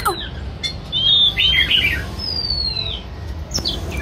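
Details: White-rumped shama singing while performing a display dance: high, clear whistled notes and quick slurred phrases, some falling, with sharp clicks and a low background rumble.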